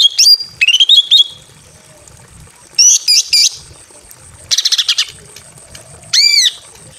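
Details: Greater green leafbird female in breeding condition, calling a male from a simple aviary: twisting whistled phrases, short chirp bursts, a rapid buzzy stutter and a final ringing arched note.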